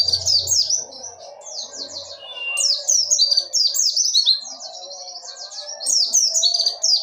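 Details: Dakun wilis Oriental white-eye delivering a ngerol nembak song: an unbroken, fast, high-pitched stream of chattering, slurred twitters and rolling phrases that rise and fall, with a faint low hum beneath.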